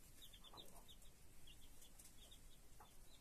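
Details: Chicks with their broody foster mother hen: a steady run of thin, high, short peeps repeated several times a second, with a couple of soft low clucks beneath.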